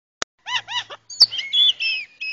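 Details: Common myna vocalizing: a sharp click, then two harsh harmonic chattering notes, followed by a squeaky run of whistled, warbling tones and a higher whistle at the end.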